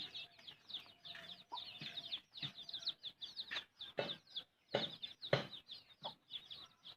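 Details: Mother hen feeding her chicks: rapid, dense high peeping chirps overlap throughout, mixed with occasional lower clucks and a few soft thumps and pecking sounds.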